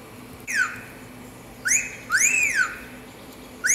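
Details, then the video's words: Pet cockatiel whistling indoors: two-note fiu-fiu wolf whistles, each a quick upward sweep followed by a rising-then-falling arched note, clear and tonal with bright overtones, against a quiet room background. "ASSOBIO DE CALOPSITA - Hino nacional/ fiu-fiu/ star wars"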